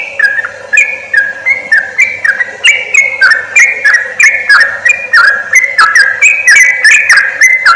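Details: Sooty-headed bulbul lure call meant to attract wild birds for trapping: rapid chains of bubbly whistled notes jumping up and down, about one phrase per second, with crisp high ticks and a constant low hum.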